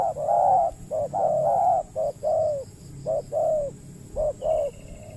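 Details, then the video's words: Spotted dove on peat ground in the Riau Islands, Indonesia, where a wild dove that coos often faces a trapping decoy but shies from fighting. It gives rhythmic soft hooting coos, short then longer, repeated in quick pairs and triplets, over low background rumble. "PIKAT BURUNG TEKUKUR KETEMU BL PENGUKU TAPI KURANG AGRESIF"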